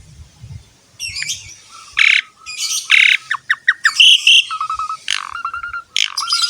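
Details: Asian pied starling song used as a master track to prompt other birds to sing: scattered harsh squawks, whistled notes and buzzy bursts with short pauses, loud mostly high-pitched phrases between quiet gaps.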